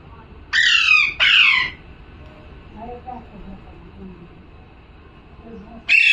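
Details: A parrot gives two rasping squawks back to back, then a pause with faint low murmurs in the background, followed by another harsh squawk at the end.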